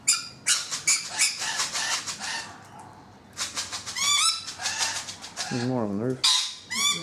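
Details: Rainbow lorikeets on a balcony chatter and screech in rapid bursts, while a human voice briefly speaks in a wavering tone among the calls.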